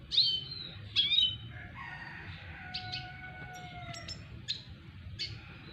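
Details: A red siskin, a double dilute bird courting a female, sings a twittering song of high chirps, trills and long, thin whistled notes, with a faint background hum.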